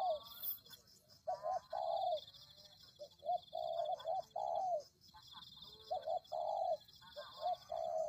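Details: Cooing of spotted doves played as a lure: a steady sequence of short and drawn-out mellow coos, several phrases of a clipped note then a longer bending one, with a continuous shrill drone overhead.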